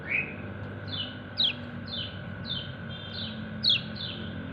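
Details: White-eye (kecial kuning) giving companion-calling chirps: a steady series of thin descending notes roughly every half second, with two louder, sharper chirps standing out. A constant background drone is also heard.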